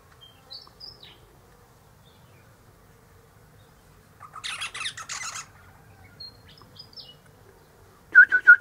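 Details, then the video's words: Eastern rosella (Platycercus eximius) chatter from high in a hedge one sunny morning, its mate in a nearby pecan tree: scattered soft squeaks, a brief scratchy burst midway, then a loud run of sharp, ringing notes. "Eastern Rosella Parrot Chatting"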